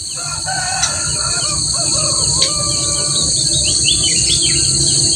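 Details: Kutilang emas (a bulbul) singing lively as a master song for training other birds: varied short whistled and warbled phrases, rising and falling, under a steady high insect-like whine and low rumble.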